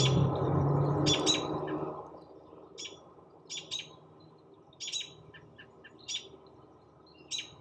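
An American Robin gives short, sharp, high chirps in small clusters about once a second, after a burst of low rumbling noise at the start.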